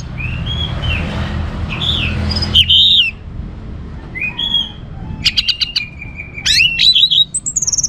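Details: Orange-headed thrush in full song to stimulate other songbirds: arching whistled notes, a loud upslurred phrase, then rattling bursts and a sustained whistle, with low hum underneath.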